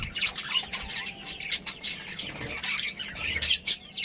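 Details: Budgerigars of a breeding pair giving softer warbled chatter and high chirps, rising to a couple of sharp loud notes toward the end.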